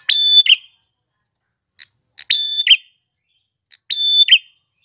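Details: A male red-headed prinia in full, persistent song: brief clicks precede a sharp level whistle that drops into a short buzzy trill, with the phrase returning about every two seconds and no other sounds around it.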